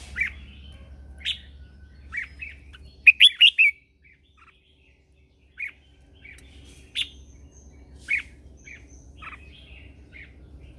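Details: Red-whiskered bulbul, a lure bird used in morning song training to stir other birds into singing: bright whistled phrases around 2–4k, a quick burst of four loud notes near three seconds, then scattered warbled notes with pauses, low hum beneath.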